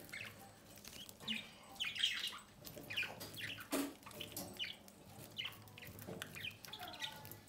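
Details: At the nest doorway a budgerigar pair feeds one of their young; scattered short squeaky chirps and upslurred peeps throughout, with one sharp knock or click in the middle.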